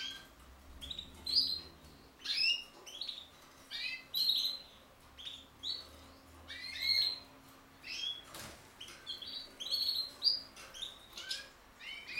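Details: Song of a common linnet x canary hybrid, 2018: quick bursts of high chirps and twangy twitters, repeated roughly once a second in short phrases, against a quiet low hum.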